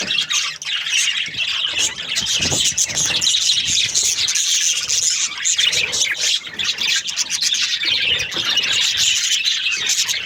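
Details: Happy budgies in breeding season, a large flock filling the air with a constant wall of high warbling chatter, shrill squeaks and squawks, barely pausing throughout, loud and steady.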